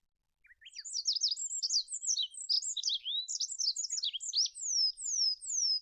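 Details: Olive-backed pipit (Anthus hodgsoni) delivering a rapid, very high, scratchy warble of mixed twitters and trills that ends in three strong down-slurred whistles; a couple of lower notes open the phrase.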